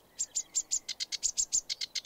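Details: Sedge warbler singing in UK hedges and shrubs: a fast, scratchy, up-and-down chatter of high notes, about seven a second, switching between sharper and buzzier phrases. The song may mimic snippets of other birds, and it sometimes sings in flight.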